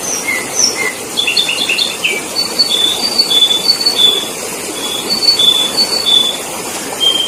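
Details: Sooty-headed bulbul singing as a lure for trapping. A short tumbling trill opens, followed by evenly spaced, thin, high whistled notes about twice a second over persistent hiss.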